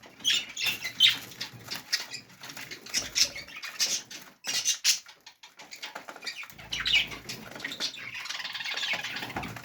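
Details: Budgerigars in the morning chatter with rapid high chirps, squeaks and warbles, broken by bursts of wing flutter.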